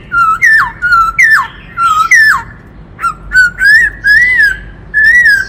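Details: Black-throated laughingthrush in varied song, alternating level whistles with steep downward-swooping notes, then a brief gap before drawn-out rising and wavering whistles.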